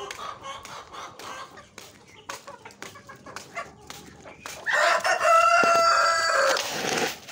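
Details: Native deshi chicken flock: soft scattered clucks for nearly five seconds, then a rooster's loud, drawn-out harmonic crow lasting about two seconds, tailing off at the end.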